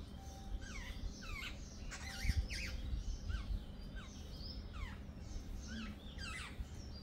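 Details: A flock of jungle babblers chatters with quick, falling squeaky notes and zigzag chirps. Several birds overlap in an uneven, busy stream over low background rumble.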